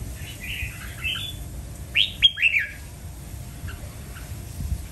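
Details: Red-whiskered bulbul singing: a few soft, quick warbled notes, then a louder burst of three or four clear, bright whistled notes falling in pitch, over steady low background hum.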